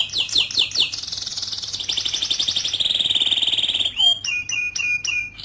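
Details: A white Belgian canary (Serinus canaria domestica) sings a fast, high run of repeated chirps and rolling trills, shifting into a sustained buzzy trill and then clear whistled notes.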